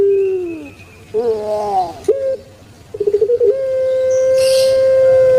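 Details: Kept puter pelung turtle dove in long-cooing style: a falling low coo, a wavering rolled phrase, a sharp short note, a rapid stuttering burst, then one very long steady hooting tone.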